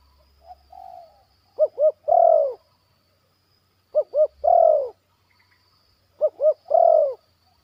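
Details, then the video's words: Zebra dove, a young trainee bird, repeating its 'batuk' and 'poin' phrases in a yard. Three phrases come roughly every two and a half seconds, each two short arched notes and a long falling purr, with low mechanical hum. "SENANGNYA HATI KALAU AJARAN SUDAH BATUK DAN POIN DI LAMAN"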